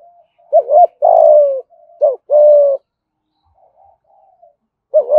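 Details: Spotted dove from Đồng Nai, Vietnam, giving 'thúc gù' cooing, 'giọng thổ' voice: two deep phrases of a short bent note plus a held coo, faint soft notes between, and a third phrase beginning at the end.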